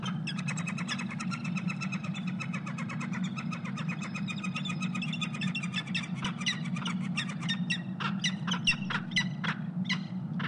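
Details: Peregrine falcon at a Columbus, Ohio nest cam during mating on a February 2016 morning, giving a long, rapid run of grating chattering notes that speed up and grow louder toward the end, over a constant low hum.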